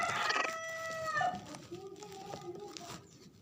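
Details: Mother hen with her day-old chicks: a drawn-out, harmonic-rich call for about a second, then softer, lower, short notes repeated irregularly, with faint background clatter.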